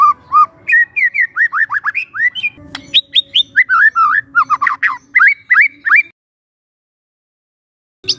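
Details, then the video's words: Young wild forest white-rumped shama singing as a relaxed training lure: fast run of loud whistled slurs, rising then falling, close to three notes a second, ending abruptly at six seconds, then silence and one brief final note. "PANCINGAN SANTAI MURAI MUDA HUTAN"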